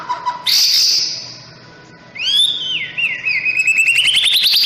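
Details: White-rumped shama in morning sun: a bright high buzzy note, a short lull, then sweeping whistled slurs that run into a quickening rising trill.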